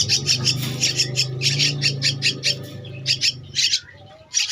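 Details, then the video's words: A two-week-old Javan myna chick gives bursts of raspy, buzzy begging calls over a strong low hum, ending with a short pause and a final loud burst. "Anakan Burung Jalak Kebo-_Umur 2 minggu"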